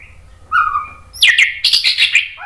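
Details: White-rumped shama singing for training: a clear level whistle, then a quick cascade of sharp descending notes and dense high chattering phrases.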